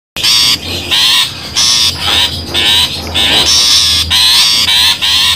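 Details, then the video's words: Long-tailed shrike calls used as a lure for trapping: loud, harsh, rasping notes in bursts of about half a second, repeated roughly a hundred times a minute, over a steady thin high whine. "suara pikat burung pentet"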